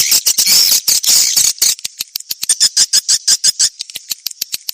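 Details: Swiftlet lure sound, 1972 old-style version, meant to attract swiftlets. Dense, continuous high chattering gives way to a fast series of sharp, evenly spaced clicks, about three per second.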